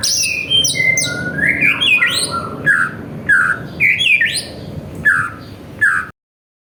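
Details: Greater green leafbird, a jamtrok lure to provoke other birds into singing: harsh, sweeping squawk-like notes alternate with quick whistles, loud and irregular, before stopping abruptly.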